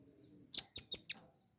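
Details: Velvet-fronted nuthatch, a cage bird, in a recording used to train songbirds: four sharp, very high chipping notes in quick succession, the last one softer, over a faint low hum.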